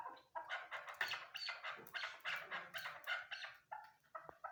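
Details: Female chukar partridge calling, a rhythmic run of harsh clucking chuk notes in short bursts, about three or four per second, fairly quiet with a clean background.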